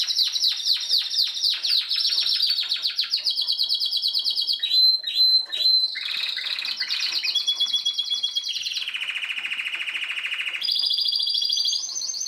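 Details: Spanish Timbrado canary from 2016 singing a varied, continuous song: fast high trills and bell-like notes, metallic rattles midway, then long sustained lower rolls and a bright closing trill.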